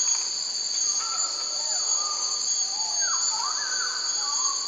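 A bird-of-paradise gives clear whistled notes that slide up and down, several in quick succession, over a steady high-pitched insect drone.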